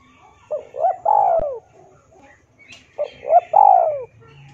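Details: Spotted dove in full voice for tutoring and luring captive doves: two phrases a few seconds apart, each a pair of short coos followed by a drawn-out, downward-sliding throaty coo, with soft bird chirps in the background.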